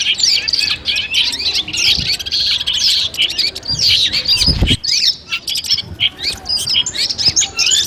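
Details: Long-tailed shrike (cendet) sounds meant to test a contest bird's composure before a competition. Choppy, scratchy high chatter broken into bursts, with a short harsh break near the middle before the chattering resumes.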